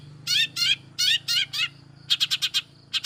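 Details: Long-tailed shrike lure song to provoke other shrikes: broad rasping notes, then a quick series of short sharp chips, over a low hum.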